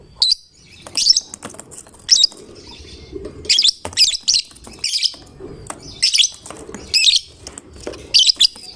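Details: Fighter lovebird singing in 'gacor' form, said to provoke any lovebird to sing along; repeated grating, high chattering bursts roughly once a second, around nine outbursts, some doubled, over a faint low hum.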